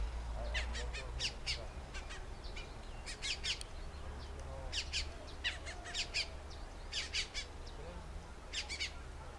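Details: Colombian mountain grackles, endemic to Colombia, in oak woodland near Soatá; scattered harsh, sharp squawks in short clusters with gaps between, several birds calling, over steady low-pitched wind or background rumble.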